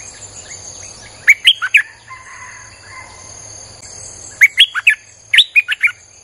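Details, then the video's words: Streak-eared bulbul song used to lure wild birds: three brisk phrases of chirped, bubbling notes, with a faint level whistle between the first two phrases and a constant high insect hum. "เสียงนกดอกแตงEp.159จ้าวขุนศึก สับดอกแบบไม่พัก!!ใช้เปิดล่อนกป่า Suara pikat merbah lekir"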